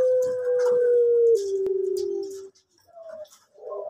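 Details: Soft-voiced male orange pelung collared dove kept at a bird farm gives a long sustained coo that slides slowly downward and fades out, then brief quieter notes follow.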